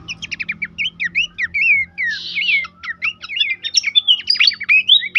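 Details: Horsfield's babbler song used to prompt caged birds to sing: a continuous loud stream of twisting whistles, rapid chips and a short buzzy burst, with a faint low hum.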